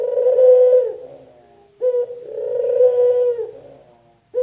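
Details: Low, drawn-out coos from a male puter dove of either the local or the white variety, a caged pet bird: two long, steady, purring notes that fade at the end, separated by a short pause, in an indoor setting.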